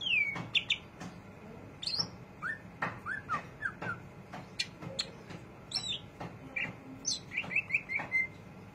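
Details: Greater green leafbird in ngriwik chatter, mixing sharp sliding chirps, brief downslurred whistles and dry ticks at uneven intervals, ending with a quick cluster of short twittering notes.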